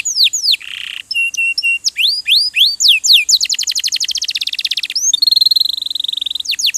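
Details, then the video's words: Canary (kenari) training song: rising and falling whistled slurs and a short buzzy note, then a rapid rattling trill and a sustained high wavering buzz, all bright and high-pitched. "MASTERAN KENARI RAJIN BUNYI"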